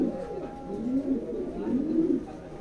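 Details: Deep, bubbling cooing from racer pigeons: soft swelling phrases that climb and dip, two or three of them flowing one into the next.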